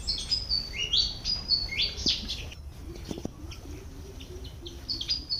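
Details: Malaysian pied fantail calling while foraging in a garden: quick squeaky high notes, some sliding down, others rising, in short bursts, with a pause mid-clip, over low background rumble.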